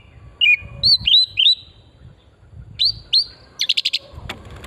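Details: Oriental magpie-robin song lure from pristine forest, meant to stimulate singing: paired upslurred whistles in small groups, separated by pauses, ending with a rapid burst of short clicking notes.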